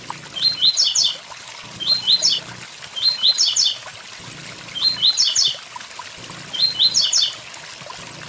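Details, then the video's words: Blue-black grassquit song recorded with waterfall sound: quick clusters of high, sharp, buzzy notes, the 'tui tui zel zel' phrase, repeated roughly every one to two seconds over a constant rush of falling water. "Tiziu tui tui zel zel"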